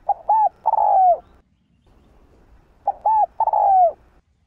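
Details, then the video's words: A spotted dove gives two mellow, low coo phrases about three seconds apart, each a short note followed by a longer, slightly falling one, with no other sounds. "Tiếng Cu Gáy Giọng Hấp Dẫn ĐỦ BÀI [GÁY GỌI,THÚC,GÙ ]"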